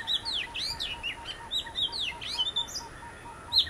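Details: Oriental magpie-robin, one of a visiting pair, singing a rich run of varied whistled notes with sharp rising and falling slurs and bright high chirps, over a steady low pulsing note repeated about seven times a second.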